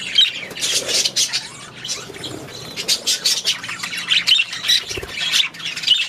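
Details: In their aviary, budgerigars trade rhythmic, pulsing squawks and bright chirps, with bursts of chatter rising and falling roughly twice a second.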